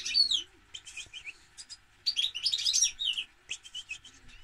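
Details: European goldfinch twittering continuously in fast, bright, jingling phrases with brief buzzy notes and short gaps, over a soft background hum.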